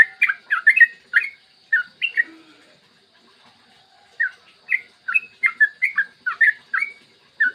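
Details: Yellow-vented bulbul giving its long morning song, recorded to lure other bulbuls: an opening flurry of quick chattering notes, a lull of about two seconds, then a fresh run of bubbly slurred notes.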